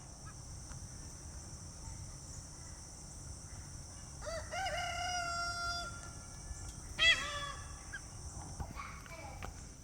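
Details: A pet peahen gives her alarm call at rabbits near the feeder: a drawn-out, nasal harmonic call, then a sharp, loud honk a moment later, over a steady high hiss and soft background talk.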